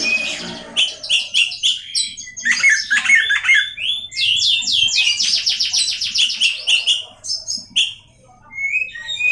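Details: Oriental magpie-robin giving a provoking song aimed at other magpie-robins: dense, buzzy bursts of very rapid high notes, run together in long chattering phrases, then a brief quiet gap.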